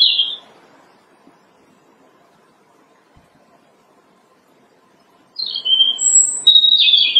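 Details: Robin in March, early spring, singing from branches; a brief high note, a long silence, then a fresh phrase of thin, high whistles and a fast trill.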